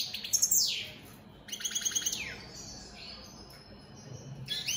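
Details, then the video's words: Opal split satinette European goldfinches in captivity singing: a sharp high twitter with a falling slur, a trilled burst, a quieter drawn note, then renewed chirping at the end. "Opal split Satane goldfinches siging"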